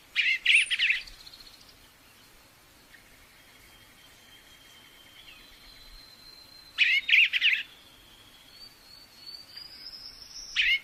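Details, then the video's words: Bird song in short bursts of dense, buzzy trilled notes roughly every six seconds, with thin whistled tones and faint distant birds in between. "Birds singing"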